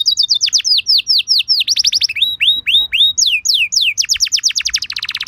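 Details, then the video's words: Canary lure song used to prompt other canaries to reply: bright descending whistles in quick succession, switching between slower sweeps and fast rolling trills, ending in a dense buzzy rattle. "Bakal Langsung Nyaut Burung Kenari Kondisi Apa Saja Dengan Pancingan Kenari Lagu Mewah Ini"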